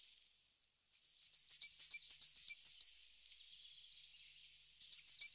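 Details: Great tit around its nest on the morning of 14 April, nest-box webcam: rapid series of thin, very high paired notes, about a dozen in quick succession, faint scratchy sounds, then the series starts again.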